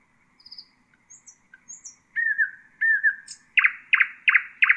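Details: Nightingale singing to tutor chicks. Soft high thin notes come first, then two drawn-out slurred whistles, and the phrase ends in loud, evenly spaced rasping chirps. The background is quiet.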